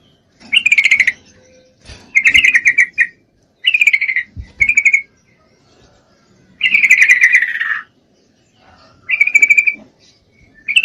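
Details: Breeding-condition female trucuk calling a male: short bursts of bubbly, chattering notes come every second or two, with one longer, slightly falling phrase in the middle.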